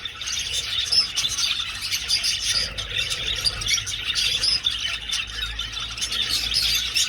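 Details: Inside an old aviary, a flock of budgerigars in flight makes rapid twittering with scattered harsher squawk-like notes over a steady chorus.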